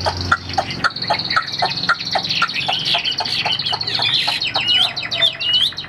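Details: Caged Chinese hwamei delivers a dense, fast song. Rapid clicking and chattering notes run under rich warbled whistles that grow busier and more varied toward the end.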